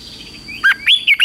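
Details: Red-whiskered bulbul singing in morning training, a short fragment of three looping whistled notes rising and dipping.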